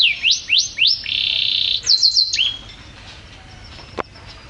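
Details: Canary song for training caged birds: a few rising whistled slurs, a sustained buzzy note, then quick high notes, followed by near silence and one sharp click.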